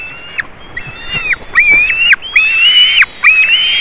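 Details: Young white-tailed eagle visiting eaglets at a Latvian nest on 27 June 2019. Piercing whistled notes grow louder and come faster, each one flat-topped and ending in a downward slip, with crisp ticking clicks mixed in.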